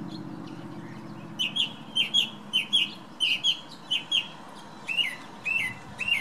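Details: Thrush singing in the morning outside a bedroom window, wind blowing. Bright double notes repeated steadily, nearly two a second, each pair alike, then a few slurred notes near the end, over a soft wind hum.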